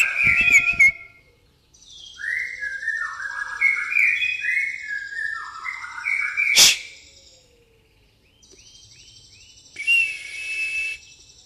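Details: White-rumped shama in pastol style with fighting-sparrow fill: a burst of clattering notes, then a run of short falling whistles, a loud crack, a pause, and a brief buzzy chatter near the end.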